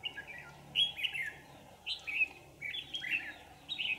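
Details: Decoy-trapping session for red-whiskered bulbuls, 27 November 2018: bright, warbling whistled phrases repeated roughly every second, each a quick rising-and-falling cluster, over faint steady hum.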